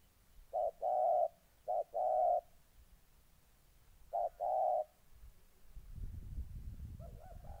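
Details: In Gia Lai, Vietnam, on 14 August 2020, a molting decoy spotted dove faces an eager-to-fight wild dove: three short-long coo pairs, then a muffled thump and a fainter distant coo at the end.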